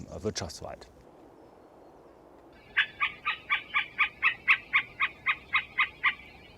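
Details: Middle spotted woodpecker in an old-tree forest, its call played as a lure to which a bird answers, revealing its territory: a steady run of about thirteen nasal, slightly harsh notes, four per second, after a brief burst of a man's voice.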